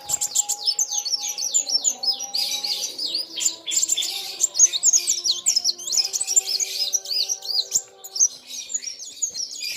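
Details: Sunbird (kolibri wulung) singing hard against a rival sunbird, both lively: dense high, rapid chirps and twittering sweeps overlapping continuously, with a faint steady tone underneath.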